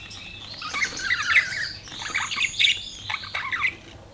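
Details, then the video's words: Budgerigar chirping as a continuous warbling chatter of mixed squeaks and trills, rising and falling in loudness for about four seconds before fading. "BUDGIES CHIRPING SOUND"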